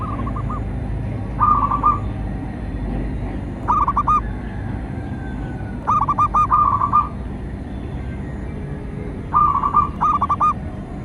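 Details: Local perkutut, the zebra dove, cooing its song used as a lure for training and trapping; brisk trilled coo phrases in pairs and runs, spaced a few seconds apart, against a constant low rumble.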